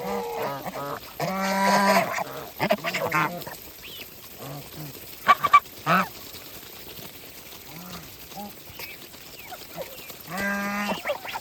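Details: Feeding farm geese honking in loud bursts: a run of rapid harmonic honks at the start, scattered single calls and sharp knocks in the middle, and another strong series of honks near the end.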